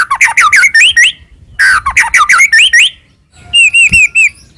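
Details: A white-rumped shama of the Medan type, its song full of fill phrases, sung as a lure to provoke another shama: two fast runs of varied slurred whistles, a pause, then four clear repeated whistled notes.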